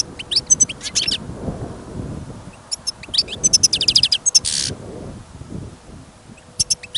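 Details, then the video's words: Caged European goldfinch singing outside on a snowy, windy day during a trapping outing: scattered bursts of high liquid twitters and quick chip runs, a brief hissing noise, and steady low wind rumble between phrases. "Пение щегла - Голоса птиц. Щегол на прослушивании запел."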